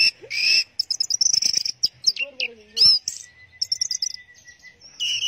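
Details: Teler singing by an Orange-headed thrush: rapid high chatter and trills, a short lower warbled phrase, then a long thin whistled tone before more bright chirps.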